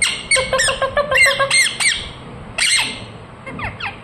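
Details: A pet rose-ringed parakeet, urged by its owner to make a loud noise, gives shrill, rapid chirps and squawks in quick bursts, several per second, then a few harsh calls with pauses between.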